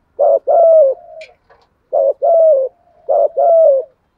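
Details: Spotted dove 'thúc gù' cooing, used as a lure to stimulate newly caught doves: three low phrases, each a short clipped note and then a longer falling coo, about every 1.5 seconds, with a soft trailing hum and a brief faint chirp.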